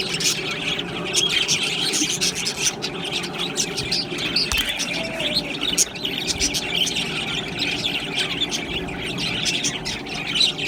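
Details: Continuous flock chatter of budgerigars: overlapping bright chirps, short whistled notes and scratchy warbling run without a break, with occasional sharper squeaks standing out from the mass.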